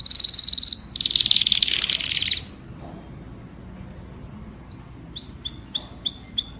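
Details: Flock-calling song of a canary: two intense buzzing trills over about two seconds, then quiet, and later a row of short, sharp rising chips.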